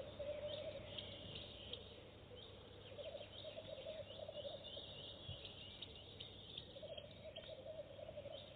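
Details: Goosander on its first nest box visit, laying eggs at once; repeated low, grating rattle-croaks run through most of the recording, over a droning hum, with light high-pitched bird chirps above.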